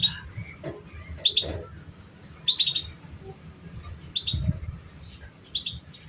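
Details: Canary voice played to train young canaries: five short, bright, buzzy chirp bursts spaced roughly a second apart, each a quick cluster of high notes, with a faint low hum beneath.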